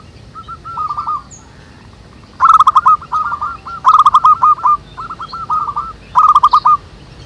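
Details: Wild local zebra doves singing busily. Rapid staccato cooing phrases repeat every second or so and are interrupted three times by sharp clicking clatters. A brief high chirp is heard early on.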